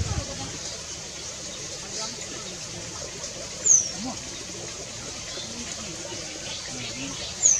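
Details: Eurasian penduline tit at its nest giving two thin, high, downslurred whistles about four seconds apart, over a steady hiss like running water or wind.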